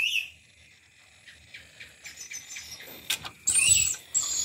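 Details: An Aru lory from Papua, a relative of the black-capped lory and said to be not talkative, gives a few soft, scratchy chips, then a brief, harsh, high-pitched screech.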